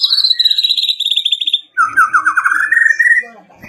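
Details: Champion competition white-rumped shama giving a long high trilled phrase that drops slightly, a brief pause, then a rising buzzy trill from low to higher pitch.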